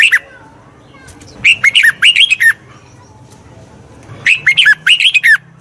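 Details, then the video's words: Red-whiskered bulbul singing to train a wild-caught bird's voice: a short opening note, then two bursts of rapid, liquid, up-and-down whistled notes about three seconds apart, with a faint low hum underneath. "Tiếng chào mào luyện giọng chim bổi. นกปรอดหัวโขน"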